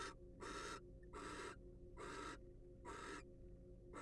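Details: A wild barn owl in a monitored nest box produces five loud, airy rasps in quick succession, each short and harsh, separated by slightly uneven pauses, over a low continuous hum.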